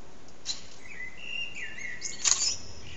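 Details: Blackbird singing from an antenna, part of a near three-hour song session; one brief fluted phrase rising and falling, closing in a burst of high twitter.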